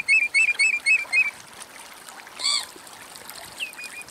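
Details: Grey wagtail (Motacilla cinerea) recorded in the wild in Greece: a quick run of six sharp, high notes, then a single arched note and two faint closing notes.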